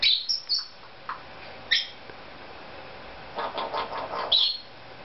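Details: Pet Cape Parrot making silly sounds indoors: several short, shrill squawks spaced a second or so apart, with a softer muttering chatter between them and faint room noise.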